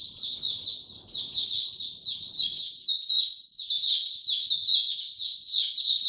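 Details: Captive white-eye singing, no health supplements given: sustained high-pitched twittering song, fast and warbling, growing louder and denser over six seconds, with faint low noise early on.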